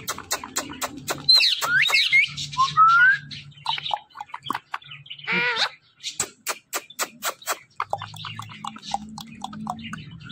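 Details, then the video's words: A pet talking parrot keeps chattering: a rapid series of clicks and short ticks runs through, broken by a few sliding whistles and squeaky notes near the start. "this Parrot talking are non stoppable"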